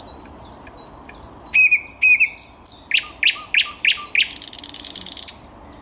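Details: Thrush nightingale singing on 10 May 2021, a varied phrase of high whistles, then a run of loud, sharply descending notes repeated about four per second, ending in a fast dry rattle-like trill.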